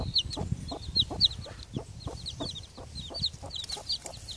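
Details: Broody hen with her three new chicks hatched in early October, being persuaded back into the coop; steady low clucking about four times a second mixed with high chirping peeps from the chicks.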